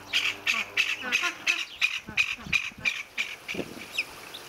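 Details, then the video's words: Juvenile spotted whistling ducks, new additions to an aviary flock, give rapid, thin, high, slightly wheezy whistled notes, about three per second, with faint low murmurs beneath. "Juvenile spotted whistling ducks"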